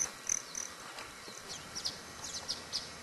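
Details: Broad-tailed hummingbirds fighting and drinking sugar water: faint, high, thin chip notes repeated irregularly at a quick pace over a steady background hiss.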